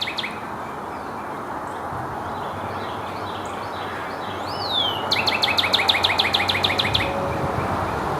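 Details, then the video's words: A male Northern Cardinal, heard on a forest trail hike, gives one long downslurred whistle, then a quick series of about a dozen sharp, falling whistled notes over two seconds, over steady background rumble. "A final call from our favorite cardinal."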